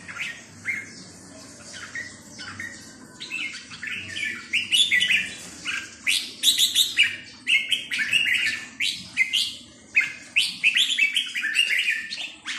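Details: Red-whiskered bulbul singing in the counted-notes style: a long run of rapid, bright whistled notes, swooping up and down in rhythmic bursts that grow denser midway, over a faint low hum.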